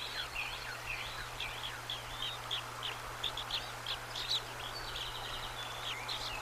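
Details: Newly hatched bald eaglets taking trout from the female's beak at their nest, March 25, 2024; rapid high chirping notes, some rising, others falling, repeated many times a second, faint over steady low humming background.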